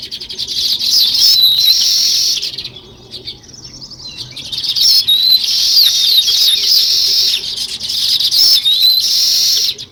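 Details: Sparrows, listed alongside weaver birds, chirping in a dense, continuous high-pitched chorus that breaks off briefly near the third second before the busy chatter of many birds resumes.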